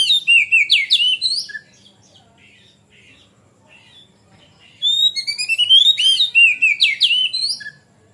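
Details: Oriental magpie-robin in energetic ngeplong song, meant to coax young birds into singing. Two loud bursts of jumbled whistles, trills and squeaky notes are separated by about three seconds of soft, sparse twittering.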